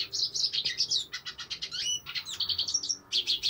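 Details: Hooded siskin in song, pouring out a rapid jumble of high twittering chirps, buzzy slurs and short trills with barely a pause, over a faint low background hum.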